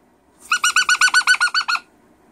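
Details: Pet cockatoo indoors, in a loud, wild mood, letting out a rapid burst of about eleven short, harsh, rhythmic squawks in just over a second, evenly spaced and strongly harmonic.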